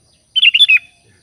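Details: Sooty-headed bulbul giving a calling-companions phrase of about five rapid, chirpy whistled notes lasting under half a second, clear and close, with a faint low rumble afterwards.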